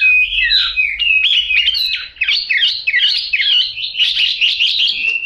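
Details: Chinese hwamei with yellow bill and legs: a varied stream of whistled phrases and fast twittering notes, with a short dip in the middle and a clear whistle to finish.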